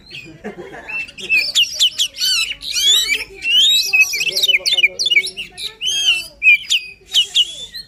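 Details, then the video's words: White-rumped shama in energetic full song, used to stimulate a quiet shama to sing: a dense run of sweeping whistles, rapid slurred notes and harsh chatters, mostly high-pitched, with brief pauses between bursts. "Kacer Gacor Full Emosi, cocok untuk mendongkrak Kacer yang malas bunyi."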